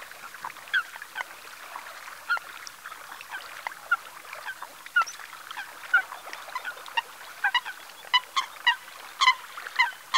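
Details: Eurasian coots at the salt pans of Ses Salines de Mongofre, Menorca, on 6 February 2020 at 9:00 in the morning. Short, sharp, clipped calls repeat irregularly over a busy background of softer chatter, with bursts growing denser and louder near the end.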